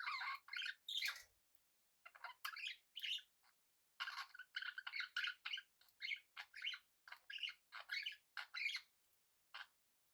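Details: Pet budgerigars kept with cockatiels warble continuously in dense, rapid, buzzy bursts of chirps and clicks, with barely any pauses.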